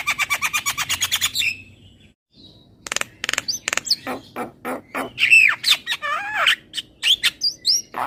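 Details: Javan myna singing: a fast, even train of dry clicking notes, a brief pause, then a varied jumble of harsh chacks, sharp whistles and slurred, wavering whistled phrases.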